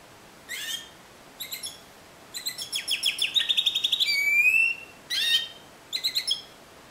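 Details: Timbrado canary with discontinuous song: short spaced chirp bursts, then an accelerating series of clipped pulsed notes ending in a long falling whistle, followed by two more brief bursts.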